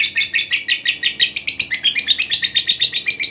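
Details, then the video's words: Fighter lovebird in extended ngekek, a recording meant to coax stuck lovebirds into regular singing: quick, harsh, high chittering pulses, roughly six per second, slightly uneven in spacing. "LOVEBIRD FIGHTER NGEKEK PANJANG_TERAPI JITU PANVING LOVEBIRD MACET JADI GACOR RAJIN BUNYI"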